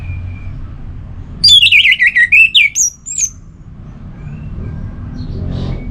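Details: Orange-headed thrush (anis merah), a caged songbird from Singaraja, North Bali, delivers a quick run of warbled, wavering whistles followed by a couple of sharp high notes, then quieter faint calls against low background hum.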